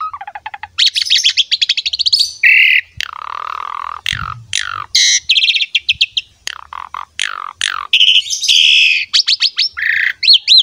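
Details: Asian pied starling singing a rich, varied model song for tutoring young and newly caught starlings; fast trilled sweeps, buzzy harsh notes, descending whistles and clipped chirps follow each other without pause.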